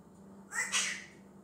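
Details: Pet African grey parrot, a male that talks and imitates many different noises, lets out a harsh, breathy two-part squawk lasting under a second, followed by quiet low hum.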